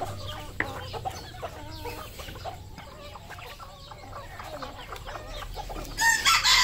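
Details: Red junglefowl on a farm in Cambodia: a busy run of short clucks and chattering notes from several birds, irregular and overlapping, ending in a burst of harsh high hiss.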